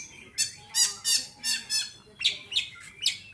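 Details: Oriental magpie-robin kept for song competition and described as healthy, giving a series of about eight harsh squawking notes in rapid rhythm, the later ones shorter and higher.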